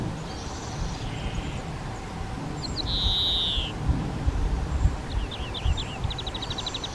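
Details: Spotted flycatcher parents feeding nestlings at a half-open nest box on a garden shed; a loud high hiss followed by scattered quick chirps and a fast ticking burst, with low rumbling noise beneath.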